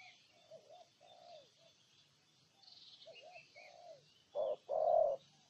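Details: Spotted dove, Ninh Thuận, Vietnam: soft, faint bending coos for several seconds, then one loud close phrase of a short note and a longer coo near the end, faint chirps above.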